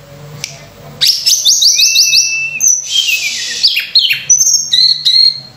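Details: Sunda robin song used as a lure for training other birds, opening with a fast series of repeated high buzzy notes, then long whistles, descending slurs and chirpy phrases, with a low hum underneath.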